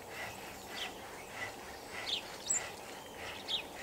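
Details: Starlings gathered as a flock in a tree chatter softly; scattered sharp chirps and thin whistles stand out against constant environmental noise.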